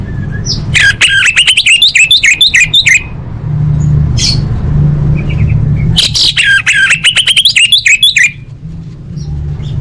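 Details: Orange-headed thrush in full, energetic song: two long bouts of rapid chattering, warbled whistles, each around two seconds, separated by a quieter gap with a few faint notes, over a low constant hum.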